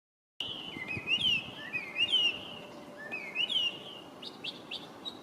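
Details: Chinese hwamei, an introduced resident bird, singing on 23 November 2025: loud clear whistled phrases with rising and falling slurred notes, repeated roughly every second, over faint background hiss.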